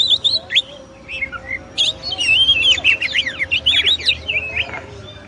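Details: Kacer, the oriental magpie-robin, singing a champion-style tutor song: sharp whistled notes and quick zigzag trills in rapid, varied phrases with brief pauses, over a faint constant background hum.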